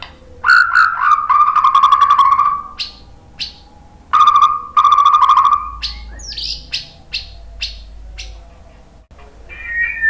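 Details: White-rumped shama song meant to provoke another bird to sing: two loud bursts of rapid buzzy trills at steady pitch, separated by pauses, followed by scattered sharp chips and a final short whistle, with low background hum.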